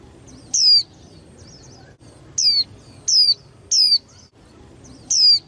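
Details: Female white-eye, young, used to provoke competing males to sing, uttering five sharp high descending whistles at irregular intervals, interspersed with faint soft twittering notes and a low background hum.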